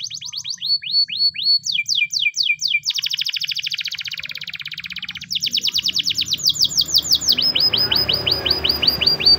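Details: Canary of the Spanish Timbrado breed singing a training song in the morning: fast downslurred notes, a long buzzy rolling trill, then bright rapid repeated sweeps.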